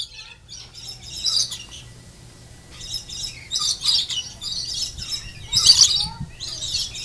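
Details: Lorikeets at the Denver Zoo, being fed nectar, give harsh, shrill screeches in short bursts every second or so, several birds overlapping, over a faint low hum.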